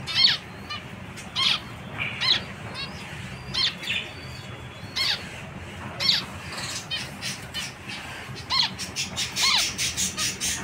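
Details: Zebra finch giving short, nasal, honking calls rich in overtones, spaced roughly one to two seconds apart, then quickening into a denser run of calls over the final few seconds, with a steady low background hum.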